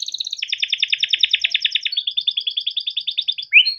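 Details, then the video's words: Timbrado canary training song: a long, steady, rapid trill of evenly repeated notes that shifts slightly higher midway, ending with a louder upward-swept phrase. "Timbrado canary singing beautiful melodic songs for training and listening"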